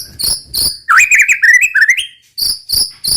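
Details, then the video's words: Murai batu, the white-rumped shama, in vigorous roll tembak song: harsh rasping bursts frame a fluid run of twisting, warbled whistles that climbs and dips, then the grating bursts return. "muraibatu roll tembak ajib bikin lawan naik emosi dan ikutan gacor MURAIBATU GACOR | SHAMA BIRD"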